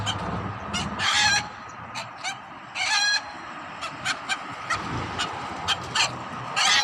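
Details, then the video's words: Hen giving harsh, broad squawks mixed with scattered short clucks at uneven intervals, with a steady humming background. "Funny Hen Noises"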